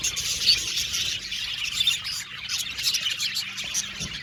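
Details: A budgerigar colony in an aviary gives soft, steady high chattering, with occasional thin whistled notes rising above the overlapping chirps.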